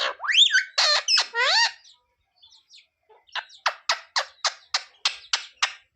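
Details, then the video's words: Talking parrot known for phrases like sita-ram and mummy papa: loud swooping, word-like squawks, a pause with faint ticks, then a steady train of about ten short clicking chirps. "Parrot talking sita-ram🚩parrot talking jay shree ram🚩सीता-राम 🚩जय श्री राम🚩mummy papa bolane wala"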